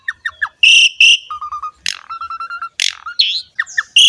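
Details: Asian pied starling in energetic song used to encourage other birds to sing: short falling chirps, two loud buzzy blasts, then quick series of low even piping notes broken by sharp harsh calls.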